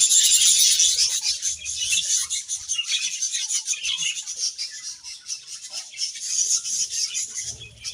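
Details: Budgerigars feeding on grass, a continuous high, fizzing warble of many overlapping chirps that fades slightly toward the end, with faint low rustles.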